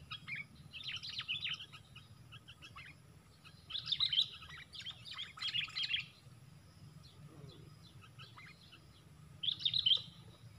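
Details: Sooty-headed bulbuls in a four-against-one fight at a bird-trapping lure: bursts of bright, sharp chirps in three bouts separated by pauses, over a low steady hum.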